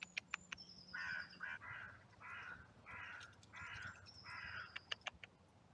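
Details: Crows calling among oak trees in a cemetery while being hand fed: six hoarse caws spaced roughly every 0.7 seconds, with faint thin whistles and clicks around them.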